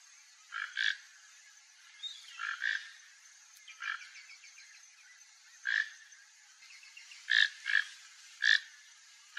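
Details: Toco toucan (Tucanuçu) feeding freely on papaya in a yard in Brazil, giving harsh croaking calls in short bursts, often paired, repeated several times over about nine seconds against quiet background hiss.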